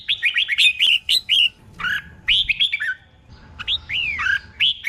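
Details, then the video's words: Red-whiskered bulbul singing a tutor song for training caged birds, doubled 'bern' style: quick runs of cheerful, warbled whistles and upslurred notes in two dense phrases, clear and close. "เสียงนกกรงหัวจุก | สุดยอดนกครู เบิ้ลชัดๆ เบิ้ลเป็นคู่ๆ"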